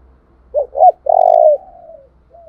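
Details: Lure call of a spotted dove kept as a decoy for wild doves: a pair of short coos, then a long, strong coo trailing off into a fading tail, with a faint low hum behind.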